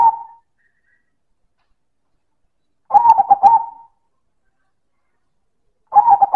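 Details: Silver zebra dove in loud manggung song: the tail of one phrase, then a rapid stuttering coo phrase near three seconds and another beginning at the end, each a burst of clipped mid-pitched notes lasting about a second, separated by silence.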